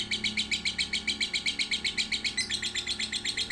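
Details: A lovebird aged one to three months sings a training song for young birds: an evenly paced chatter of bright, high chirps, near four a second, with one brief downward squeak in the middle.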